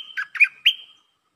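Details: Red-whiskered bulbul singing a short lakboen (double) style phrase: three bright, bubbly whistled notes rising and falling, the last ending in a long, thin sustained tone, then silence.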